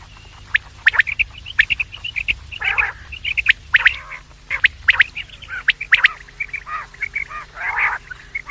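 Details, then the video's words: Quails heard morning and evening, used to lure quails: a busy, overlapping stream of high chips and twittering notes broken by several harsh, grating bursts, suggesting more than one caller. "The best sound of quails in the morning and evening , bater ki awaaz,batair ki awaz,Bedananing ovozi"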